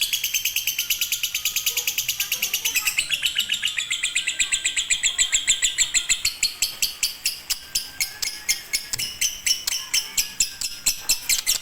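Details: Konslet-style fighter lovebird, used as master song for birds slow to sing: long, very fast, scratchy chattering that runs continuously, slowing slightly into spaced, ticking notes near the end.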